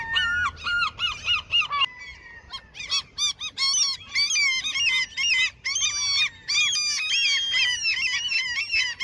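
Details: A crowd of seagulls being fed at a fishing spot squabbles loudly, with many overlapping, sharp, arched cries packed close together throughout.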